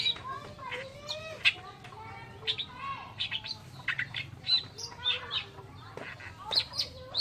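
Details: Oriental reed warbler delivering scattered harsh, scratchy notes and chatters, with lower whistled phrases from other birds and soft background rumble.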